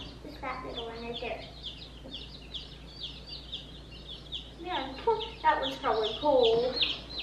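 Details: Sixteen baby chicks just collected from the post office on the way to their new brooder, giving soft high peeps in bursts, with a woman talking over them.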